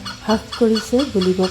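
A great hornbill gives five short, deep, honking notes in quick succession, each about a fifth of a second long, over a faint background hum.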